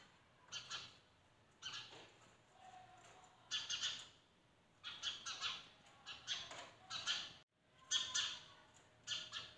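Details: Morning sparrows at a window chattering in rough, scratchy chirps, clustered in lively bursts with brief quiet gaps, a faint low hum underneath.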